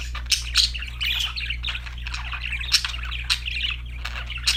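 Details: Singing parakeets: busy warbled chatter mixed with sharp clicks and squeaks, steady in loudness, with a faint low hum.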